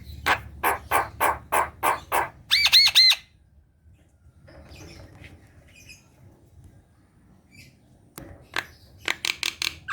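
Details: Black-winged myna singing steadily, used to coax reluctant caged mynas into song: a run of six raspy broadband notes, three quick squeaky whistled notes, a quiet gap, then a fresh burst of harsh clipped notes.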